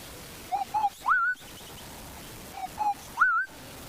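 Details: Southern boubou calls from drainage lines near a termite mound on a sunrise safari drive, 2 January, amid many calling birds: two short low fluted notes, then a louder rising slurred whistle, repeated about every 2.5 seconds; faint hiss.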